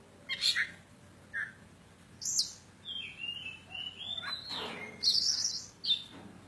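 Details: Javanese kacer poci, an oriental magpie-robin, in full song: scratchy bursts, a run of gliding whistled notes stepping up and down, then harsh buzzing notes and a sharp closing chip.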